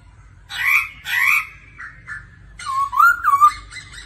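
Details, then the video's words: Laughingthrush practising its song daily with a female's 'ro ro' calls. Two harsh, noisy bursts come first, then a pause and faint notes, then a run of wavering whistled slurs. "Khướu hót luyện giọng mỗi ngày Kèm mái ro ro"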